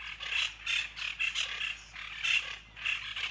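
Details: Plain chachalaca, described as sounding like mini dinosaurs: harsh, raspy calls in rhythmic bursts about every third of a second, possibly several birds overlapping, outdoors.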